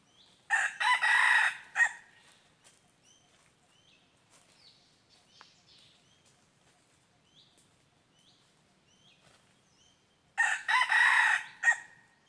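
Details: Wild red junglefowl heard while being lured with a decoy on 23 January 2022. Two loud, hoarse crows about nine seconds apart, each a brief broken phrase ending abruptly. Faint high chirps from small birds fill the quiet gap between them.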